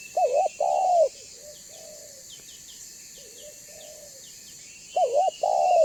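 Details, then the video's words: Spotted dove used to lure other doves, giving a wavering coo and long note, a pause with quieter coos and faint chirping birds, then the loud coo pattern returns. "Suara Burung Tekukur BANGGO Gacor Membuat Terkukur Lain Auto BUNYI Dan MENDEKAT !!!"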